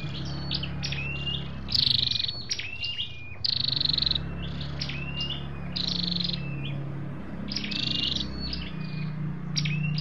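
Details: Red-whiskered bulbul recording meant for trapping or stirring caged birds, said to contain male and female calls; bright, bubbly, short, rapid whistled phrases rising and falling, repeated over a steady low hum.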